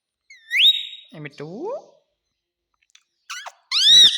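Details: Parrot kept as a pet at home, imitating "mummy" and "papa": an upward-sliding whistle, lower speech-like syllables, a pause, then short squeaks and a loud arched squeaky call at the end.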